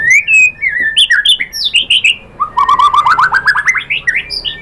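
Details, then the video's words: White-rumped shama song used as a lure to make other shamas sing, with loud varied whistled notes followed by a fast rising series of repeated chattering notes. "pancingan JITU ‼️ MURAI BATU spontan EMOSI NYAUT jadi GACOR BONGKAR MATERI ISIAN ¦ SHAMA BIRD"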